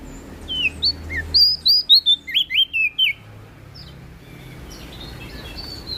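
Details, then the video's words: Loud, melodious prinia song from West Nusa Tenggara: a lively string of about ten quick, slurred whistles and chirps over two and a half seconds, then near silence with faint low hum. "PRENJAK DAUN NTB Gacor Ngeplong Suara Merdu"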